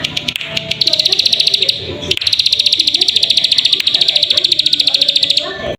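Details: Plain prinia lure for making birds sing: long, even stream of rapid, buzzy high-pitched notes, about three per second, continuing almost without break after a short opening stutter; faint low murmuring beneath.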